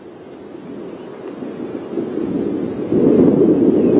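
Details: Rumbling wind buffets the microphone with no animal voice, growing louder and heavier toward the end.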